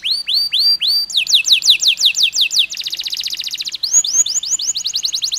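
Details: Canary singing a long stress-lure song with pauses, used to stimulate other canaries: repeated rising whistled notes, then rapid falling trills, a fast buzzy rattle and sweeping phrases, loud and close.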